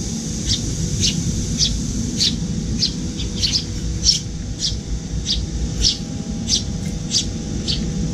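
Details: Juvenile Eurasian tree sparrow, paler-cheeked, following a parent at a windowside feeding spot and getting fed when it opens its beak. Loud, clear high chirps repeat about every half second, with faint low hum beneath.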